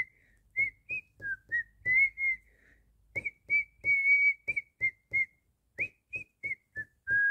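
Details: Singing cockatiel: about twenty short whistled notes that step slightly up and down in pitch, arranged in two phrases split by a brief pause. Each note comes with a faint low knock.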